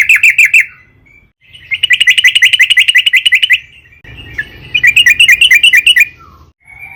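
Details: Yellow-vented bulbul singing persistently to draw others into song: short chirp burst, a long even roll of rapid notes, then another quick bouncing series with a soft faint call.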